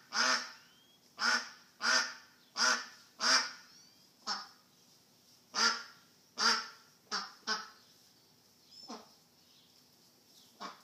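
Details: A lost duck calls over and over, giving loud, raspy, nasal quacks roughly every second. The calls start strong and come in quick succession, then grow fainter and more spaced out toward the end.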